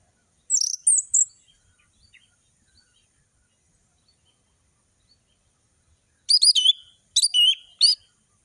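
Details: Orange-headed thrush singing in the lively ngeplong style with full variation, used as tutor song for young birds to imitate. Two brief high whistled bursts, a long silence, then three rapid, sharply modulated high phrases close together. Background is otherwise quiet.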